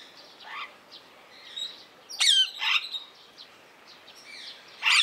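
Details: A blue-mutation rose-ringed parakeet (Psittacula krameri) at Opole Zoo gives harsh, high screeching calls in short bursts, with softer chirps and squawks between them.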